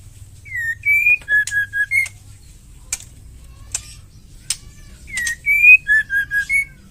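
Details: Wild female white-rumped shama giving a combative ketrekan call meant to provoke other birds into singing: a clear whistled phrase of a falling note, a rising note and three short flat notes, heard twice with sharp clicks between.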